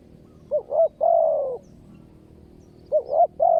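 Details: Spotted dove in a ground decoy trapping session: two phrases, each a pair of quick rising notes leading into a long coo that falls slightly at the end, with quiet gaps between.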